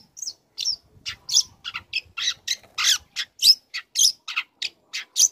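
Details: Young long-tailed shrike in full song, learning material used to make other shrikes call back: rapid, irregular harsh chattering notes, roughly one hundred per minute, with nothing else clearly heard.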